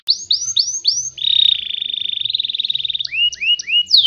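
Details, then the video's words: Faba canary song used as a lure for other canaries to copy; a few rising slurred notes give way to a long steady trill, followed by upturned whistles. "PANCINGAN KENARI BIKIN BURUNG EMOSI"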